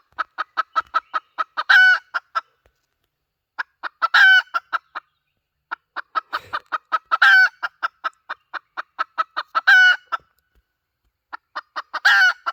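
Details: Hen call used as a lure: bursts of short clucks at a steady rhythm, each run broken by a loud, harsh, drawn-out squawk about every two and a half seconds. The background is quiet.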